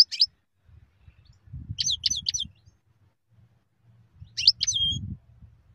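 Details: European goldfinch uttering short clusters of quick, clipped twittering notes, several seconds apart, with low rumbling noise in the background.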